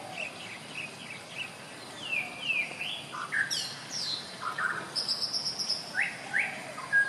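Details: White-rumped shama singing scattered whistles and sharp downslurred notes, joined by a high buzzy insect-like trill midway, in a quiet setting.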